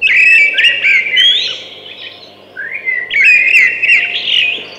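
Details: Two phrases of thrush song, each a rich run of whistled notes with quick upslurs and trills, separated by a brief quieter gap.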